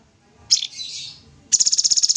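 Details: Sooty-headed bulbul singing energetically as a tutor recording: a sharp high chirp, a hissing buzzy note, then a rapid rattling trill of about a dozen high, even pulses.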